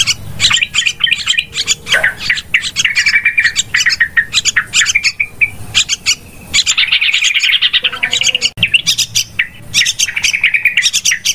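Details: Yellow-vented bulbuls chatter noisily in a dense, continuous stream of bubbly, scratchy notes and short whistles, several birds seemingly calling at once, in a very noisy recording used to lure the birds.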